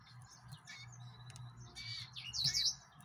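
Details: Yellow-fronted canary, a brief, high, tumbling warbled phrase near the end, over a steady low hum and background hiss.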